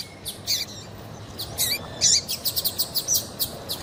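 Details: Calls of a female double-collared seedeater, used to make males sing; thin high chirps, some with curling downward slurs, grow denser toward the end in quick repeated notes over low steady noise.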